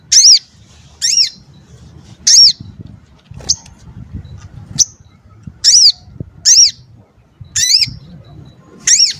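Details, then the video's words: Crimson sunbird, or sogok ontong, whose tight, sharp, varied voice is used to teach other cage songbirds. Loud, high, arching chirps sound singly or in pairs about once a second, with thin ticks between them over a quiet background. "Sogon Ontong Gacor"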